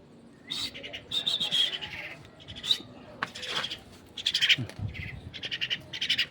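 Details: Pet myna being fed, uttering scratchy, pulsed bursts in irregular clusters, broken by clicks and a brief low thud.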